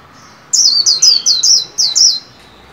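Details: Caged white-eye in training, singing 'líu' style at the new year: a quick run of six bright, descending slurred whistles, each dropping sharply in pitch, packed into about a second and a half against a quiet background.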